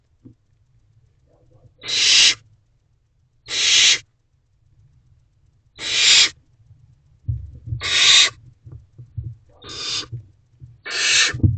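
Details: A lone barn owl owlet hisses in its nest box on the evening of 4 May 2023, hungry and waiting for its parents; six raspy hisses, sparse at first then closer together, with scratching noises near the end.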